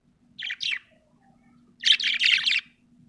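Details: Happy pet budgerigar chirping: two short bright chirps, then after a pause a longer burst of rapid, warbling twitter, with a soft low hum in the background.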